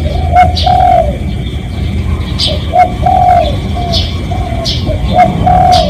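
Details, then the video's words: Spotted dove recorded live as a lure call for other doves, with two full coo phrases, each a brief note and then a long, smooth, falling coo. Other birds chirp faintly above it over low background rumble. "เสียงนกเขาใหญ่ เสียงจริง ถ่ายจิง เอามาให้ฟังกันยาวๆ เสียงเป็นเสียงต่อ"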